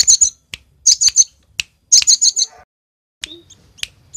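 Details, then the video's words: Cinereous tit (gelatik batu) from Roban, Subah, Batang, singing a song loaded with varied fill phrases: bursts of sharp high chirps in quick clusters, a short pause, then single scattered notes. "Gelatik batu isian se abreg,super gacor"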